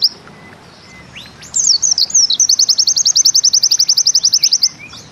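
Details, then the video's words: Bustomi white-eye (pleci) giving its 'nembak ziperrr' song: after a second of quiet, a few high slurred notes lead into a long, fast, even zipper-like trill of sharp repeated chips lasting about three seconds. "Bustomi NEmbak Ziperrr Mudah DI Tiru"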